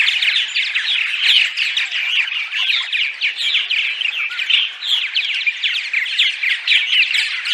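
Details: Several purple martins singing their dawn song, meant to bring migrating martins to nest sites; quick chirps, croaky gurgles and trills stream on without pause in a dense, even chorus.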